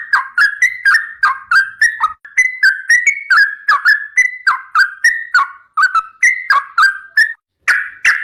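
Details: Trucukan garuda, a sooty-headed bulbul, in vigorous gacor song for masteran tutoring: a long steady string of mellow slurred whistles, each dropping then lifting, about three per second, with brief breaks.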